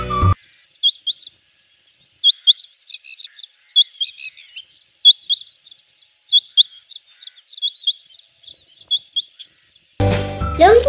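Rain quail giving sharp, high, metallic double notes, repeated irregularly for about ten seconds, with brief voice and music at the start and end.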